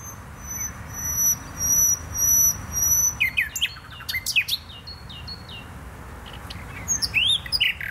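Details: Nightingale song recorded in Poznań's botanical garden, Poland: long pure high whistles repeated, then a burst of rapid sweeping notes, clicks and rising slurred whistles.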